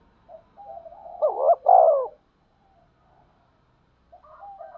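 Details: Spotted dove lure call used for trapping: soft low coos, then two loud rising-falling coos around one second in, the second long and strong, followed by quiet coos and a fresh phrase near the end.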